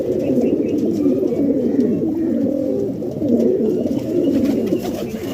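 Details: Pigeons in Pakistan coo in low, throaty, rolling phrases that overlap continuously.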